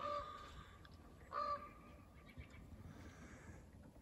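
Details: Wild common ravens talking, with a deer nearby: two short hollow tonal calls, one at the start and another about a second later, over quiet outdoor background noise.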